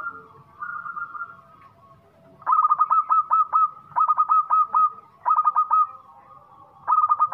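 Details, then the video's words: Local zebra dove with a big, eager voice sings four repeated bursts of rapid, bubbling coo notes, each about half a second long and spaced roughly one and a half seconds apart, in a quiet setting. "PERKUTUT LOKAL GACOR SUARA BESAR"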